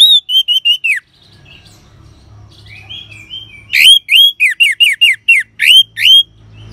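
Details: Orange-headed thrush ngeban song, used to stimulate caged birds: a short series of loud falling whistles, a pause with soft twittering, then a longer burst of about a dozen rapid downslurred ringing notes.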